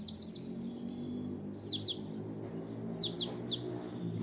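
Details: White-eye song used as training audio for open-beak singing: thin, very high downslurred whistled notes in quick clusters of two to three, repeated about every one and a half seconds over a low steady hum.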